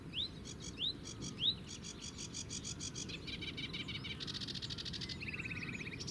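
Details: A sedge warbler sings at the Zouweboezem nature area in the Netherlands, filmed from afar with a compact camera: three rising whistled notes, then quick repeated chatter building into a buzzy, rattling trill.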